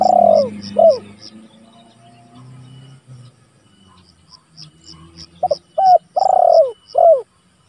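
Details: Spotted dove phrases, used as a lure and training recording to call rivals: a falling coo opens, then a quiet gap, then a full phrase of two short notes, a long rich coo and a sliding end note, with regular high ticks.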